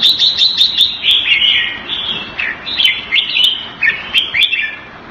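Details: Caged red-whiskered bulbul from Singapore, Thai keeping style, pouring out loud, bright, jerky whistles and chirps in rapid succession, with light clicking sounds scattered through.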